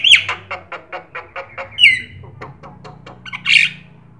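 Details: Black-winged starling in full song, used to spur other birds to sing and to tutor them: harsh squawking whistles, then a run of about ten dry clicking notes and another rough screech.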